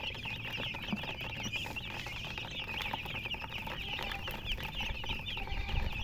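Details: Continuous bright peeping from chickens, rapid wavering chirps layered on top of each other, with soft rustling and a faint low hum beneath.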